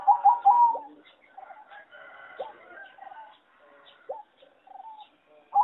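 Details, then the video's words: Farm-bred singing zebra dove kept for song competition, from one of many farms, its melody judged poor; a loud burst of rapid, rolling coo notes opens, then fainter scattered coos and chirps from other doves. "A lot of Zebra dove from many farms are not so good singing and worst melody"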